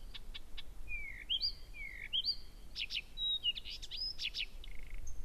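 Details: Blyth's reed warbler singing strongly and continuously in the night, 01:00, 15 June 2014, Gerå Engvej, Denmark; a few ticks, doubled sliding whistles, then harsh buzzy rattles and a brief nasal note.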